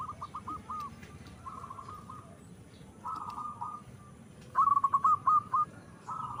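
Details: Zebra dove of a local and Bangkok cross with a large voice; soft rolling coo phrases recur through the clip, with one louder run of rapid staccato coos near the end over a noisy low hum.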